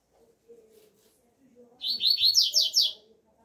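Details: Double-collared seedeater singing outdoors in the alegria tuí tuí zeo zeo song style: a quick burst of about eight high, slurred, down-sweeping notes, with faint low murmuring before and after.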